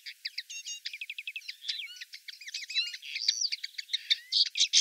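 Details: In Wittlich, Germany, 2018, a common linnet sings a lively twittering medley of rapid repeated chirps, downslurred whistles and buzzy trills, growing louder toward the end.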